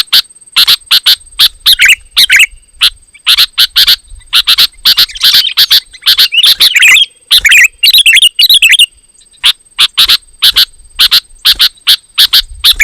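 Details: Sooty-headed bulbul in full, insistent song, played to provoke rivals and attract wild birds; an almost unbroken run of sharp scratchy chirps, thickening into a jumbled chattering burst midway before returning to spaced chips, with a faint steady high whine.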